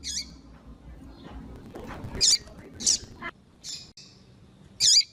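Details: Calls of a female double-collared seedeater meant to stimulate males: sparse, short, high-pitched whistled notes spaced irregularly about a second apart, against quiet low-frequency background noise.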